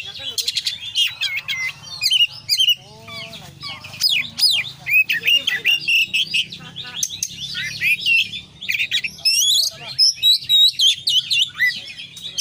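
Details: Oriental magpie-robin (kacer) in long, full fill-in konslet singing: dense medley of whistles, chirps, sharp ticks and brief buzzy trills delivered in rapid pulses throughout, with a low steady hum.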